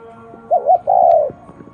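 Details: Spotted dove giving a single unusual coo phrase: two quick wavering notes followed by a longer level hooting note, with faint musical tones behind.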